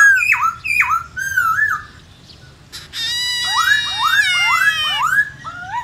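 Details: Black-throated laughingthrush (khướu bạc má), many-voiced 'forest voice' song: a few looping whistles, a brief pause, then a rich harmonic drawn-out note followed by a series of rising whistled slurs.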